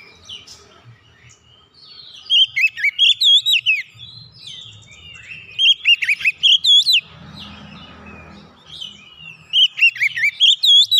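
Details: Oriental magpie-robin (kacer) singing, intended to coax a silent bird back into song: rapid strings of sharp, rising-and-falling whistles in three bursts, separated by quieter gaps with a faint rustling hiss.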